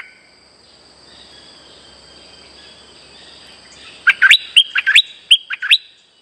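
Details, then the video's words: A Streak-eared Bulbul lure call: after several seconds of steady insect hum and hiss, a quick burst of about eight loud, sharp, upslurred whistled notes. "Suara pikat merbah lekir gacor"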